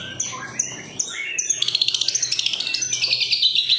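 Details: Long-tailed shrike song used to lure others into singing; several clear falling whistles, then a fast rattling chatter of high notes pulsing about eight per second, with faint low hum beneath.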